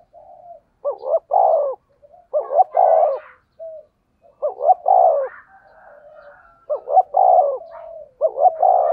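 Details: Spotted dove with a standard 'thổ sấm' (thunder) voice, a lure sound to stimulate other doves: rhythmic phrases of two quick hooked notes and a long loud coo repeat about every two seconds, with faint higher chirps of another bird mid-clip.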